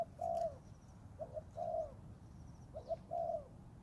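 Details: Spotted dove, a young Thai-type bird practising in the forest, gives three coo phrases, each one or two clipped soft notes followed by a longer throaty, slightly falling coo. Faint high bird chirps sound in the background.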